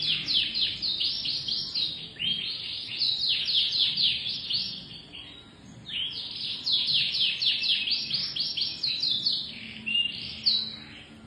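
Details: Domestic canary singing a long song of rapid, high buzzy trills and down-slurred chirps, delivered in dense phrases with a short pause near the middle before resuming.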